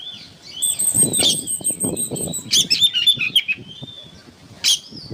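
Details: Oriental magpie-robin singing as training material for songbirds: sustained thin high piping notes held over a run of chirpy whistles, then a short sharp burst, with steady low rumbling noise throughout.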